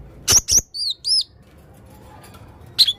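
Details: Male Blue-crowned hanging parrot giving unusual calls: two sharp, very high shrieks, then two thin arched whistles rising and falling, quiet, then a final brief shrill double note.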